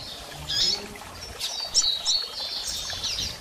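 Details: Female double-collared seedeater calling to encourage a male to sing after moult; several thin high chirps and short whistled slurs, fairly soft.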